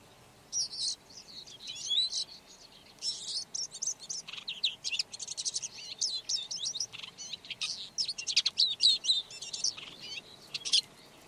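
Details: A red-backed shrike sings a long, rambling warble: scratchy twitters, chattering runs and squeaky high notes in irregular bursts, growing denser toward the end, with a faint background hiss.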